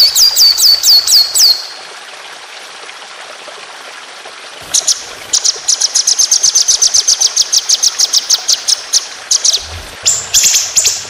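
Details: A white-rumped shama delivers a long 'roll speed' shooting phrase for contest-bird training: a short whistled run, a quiet gap, then a lengthy, steady burst of rapid, very high, metallic notes.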